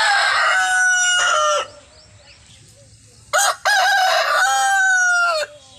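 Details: A desi rooster finishes one long sustained crow. After a pause it gives a second full crow with a short introductory note, a long level harmonic tone and a falling end.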